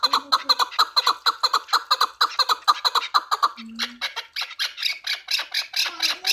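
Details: Pamir chukar partridge, four years old and kept for fighting and hunting, calls in fast, regular rasping chuck notes. The notes become higher and brighter halfway through, with a brief low squeak in between.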